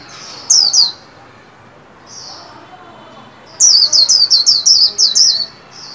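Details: White-eye kept in a cage and trained to sing líu song for the 2021 new year; a high downslurred double note, a pause, then a fast run of about eight bright high descending whistles.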